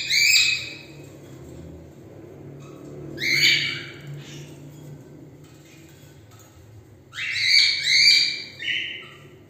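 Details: Cockatiels in a group give three bursts of harsh, raspy screeching calls spaced a few seconds apart, over a steady low indoor hum.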